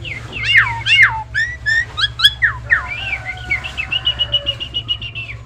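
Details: Nias hill myna, tame and in full song as training audio for other birds: loud falling whistles and sharp upward sweeps, then a quicker trill of short clear notes over a low background hum.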